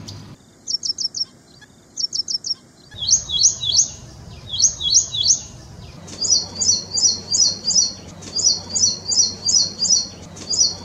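Ashy prinia song: high, thin phrases of rapid ticking notes, repeated roughly three times a second, with the rhythm shifting between short bursts and longer rolling trills.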